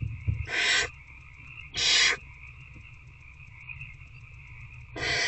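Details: Raspy, hissing screeches from a barn owl nest box at night as an adult feeds an older owlet; three bursts, two close together, then a pause of about three seconds, over a low steady hum.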